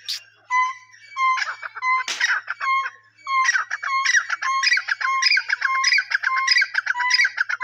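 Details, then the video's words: Francolin call sequence: steady whistled notes and a sharp burst of noise early on, then a brisk, harsh, rattling run of repeated phrases, each starting with a clear tone and ending in scratchy clucks, about 95 per minute. "amazing teeter sounds"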